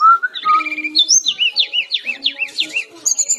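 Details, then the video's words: Singing brown-chested jungle flycatcher: a rising whistled introduction, then a rapid chain of looping, up-and-down whistled notes repeated about twice a second, ending with a high sustained note. "Masteran Burung SRDC Gacor || Sikatan-Rimba Dada-Coklat"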